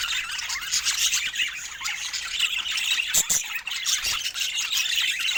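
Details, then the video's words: Many budgerigars chattering together in fun, cheerful chirping: a thick, bright layer of rapid high twitters and squawks, with a couple of short knocks midway. "Budgie Fun and Joyful Chirping Sounds"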